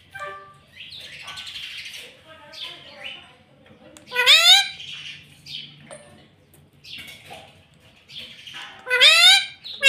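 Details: Green pet parrot known for saying "mummy": soft mumbling sounds, then two loud, sliding, harmonic word-like calls about five seconds apart.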